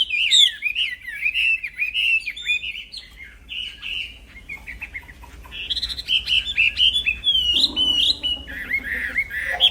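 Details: Black-throated laughingthrush in vigorous song meant for training songbirds: varied whistles and warbles, quieter stretch in the middle, then louder rising and falling notes.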